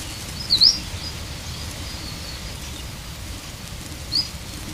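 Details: Two brief, high, upward-swept chirps from an Oahu creeper (O'ahu 'alauahio), an extinct species, about three and a half seconds apart, over a low steady background hiss.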